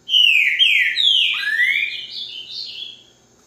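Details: Green-winged saltator delivering a loud, rich song of sliding whistled notes, several falling slurs followed by higher rising phrases that fade after about three seconds, in otherwise quiet surroundings.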